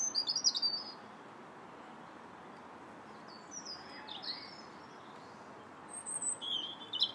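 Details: High, piping warble from a robin in January, a quick phrase opening and another closing, with faint thin notes in the quiet stretch between, against soft background hiss.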